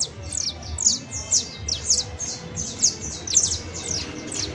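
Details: Saffron finch, known locally as canario basto, giving its 'professional' song: a fast series of sharp, high descending chirps, loosely spaced, about two or three per second over a soft low background hum.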